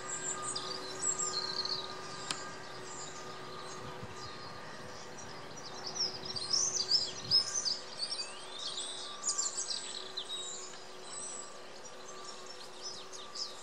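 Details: Goldfinches twittering: rapid, high, tinkling chirps and liquid trills in scattered bursts, busiest in the middle, over steady low hum and outdoor background noise.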